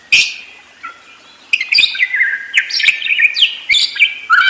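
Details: Budgerigar in continuous warbling song, mixing sharp clicks, rising and falling whistles and scratchy chatter, building into a dense run after a short pause.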